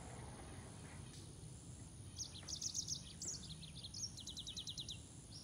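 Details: Green singing finch, or Canario de Mozambique, starting to sing after a quiet pause: clusters of quick high chirps build into a rapid repeated trill toward the end, with steady background hiss.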